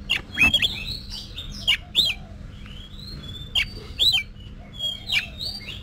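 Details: Oriental magpie-robin, a kept songbird being trained for competition singing: sparse, sharp whistled notes with quick downward slurs and a few clicks, separated by short pauses, over a steady low hum.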